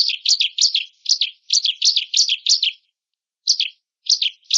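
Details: Bar-winged prinia, locally ciblek, singing on a recording meant to train other songbirds: a fast string of harsh buzzy chirps repeated about three times a second, a pause, then a few more bursts.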